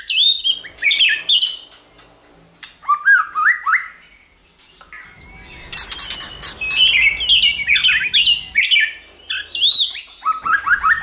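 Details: White-rumped shama song for stimulating a shama to sing, varied sliding whistles and clusters of rapid notes, with a quiet pause midway and a faint low hum underneath.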